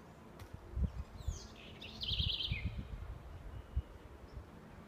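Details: Southern house wren in Aracaju, Brazil, giving one song phrase: thin high sweeping notes lead into a fast, tinkling trill that drops at the end. Steady low-pitched rumble and thumps underneath.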